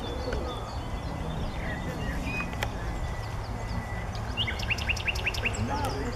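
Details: A nightingale sings at Paxton Pits, Cambridgeshire, in April 2016, ending with a series of five or six rising whistled notes repeated quickly, after scattered thin notes, over constant low background rumble.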